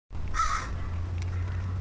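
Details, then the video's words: A crow calling near a person who went to investigate its warbles and strange sounds; one short harsh burst, with a low steady hum underneath. "Crows sure make strange sounds"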